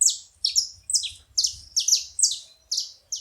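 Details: Steady, loud, high chirps from a saffron finch at a bait site. Each note falls sharply in pitch, and the notes repeat about twice a second, with faint low background noise.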